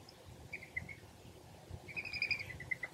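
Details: A foraging song sparrow gives a few soft, short chipping notes in two brief bursts over a low background rumble.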